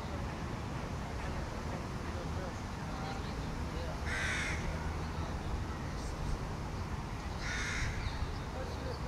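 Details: A juvenile crow begs from another young crow: two rasping caws roughly three seconds apart, faint softer notes between, against constant broadband noise.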